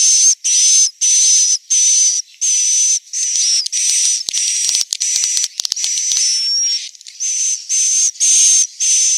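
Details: Swiftlet, Central Sulawesi, roosting sound: regular high buzzy bursts repeated about twice a second, crowding into an overlapping, clicky jumble midway before settling back into an even rhythm.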